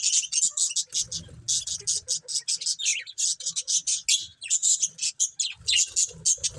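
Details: Budgies chirping: a dense, steady stream of rapid, high, scratchy chirps repeated several times a second, with occasional low rustling.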